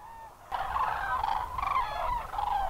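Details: Flock of common cranes at Trandansen, Sweden, at evening moonrise with the sun still up on a hazy horizon, trumpeting together: overlapping rolling bugling calls in a continuous chorus after a brief quiet start.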